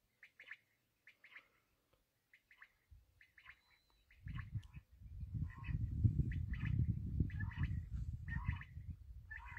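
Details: Black francolin (kala teetar) calling with short, harsh chirped notes repeated in quick bursts. The notes grow denser in the second half, over heavy low rumbling noise.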